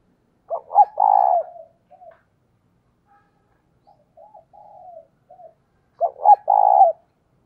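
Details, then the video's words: Decoy spotted dove calling to lure wild doves. A loud stuttered-then-drawn-out coo opens, then soft, broken coos follow, and a second loud phrase of the same shape closes the sequence. "Cu Gáy Mồi Thúc - Gáy Gọi Kích Bổi Mới Nhất"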